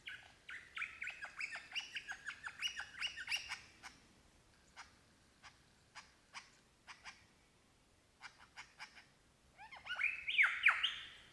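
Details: Australian lyrebird singing in the bush while mimicking other birds including crow, kookaburra and magpies; quieter rapid series of clicking and squawking notes with gaps, then a louder burst of twisting whistled phrases near the end, over faint background rustle.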